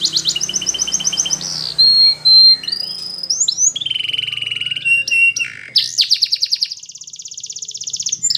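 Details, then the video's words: A Belgian canary sings to train young canaries: a pulsed high trill, pure sustained whistles, varied sliding phrases, then a long rapid rolling trill, with faint low hum behind. "Belgian Canary Training for Early Childhood Canaries so that they sing diligently"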